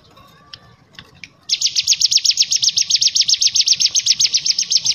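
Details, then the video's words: A few faint, scattered high chirps, then a bar-winged prinia bursts into its ngebren ngetrok tutor song: a loud, rapid, machine-like string of sharp high notes repeated evenly, roughly six each second, until the end. "Masteran cigun ngebren ngetrok"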